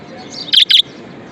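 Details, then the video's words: Budgerigar kept as a pet making a loud, bright double chirp, two short bursts in quick succession, with soft background twitter. "Happiness Budgie"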